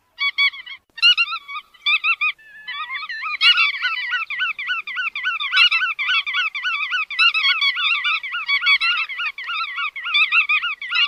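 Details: Chắt đuôi vằn bird: a few clipped nasal notes, then a long, fast, rhythmic chatter of wavy, up-and-down harmonic notes, with a couple of sharp clicks.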